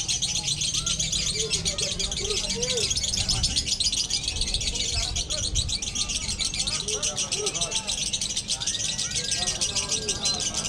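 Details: Competing lovebirds in a konslet duel for singing quality pour out a long, fast, high twittering trill without pause, while people talk and call out in the background.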